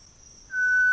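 Variegated Tinamou: a pure, steady whistled note at middle pitch begins halfway through and holds to the end. A faint, thin high hiss runs underneath throughout.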